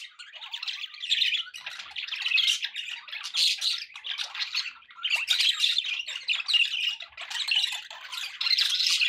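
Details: Pet budgies in a group give a nonstop stream of raspy warbling and sharp chirps, rising and falling in bursts about every second, the overlapping voices forming a dense, busy chatter.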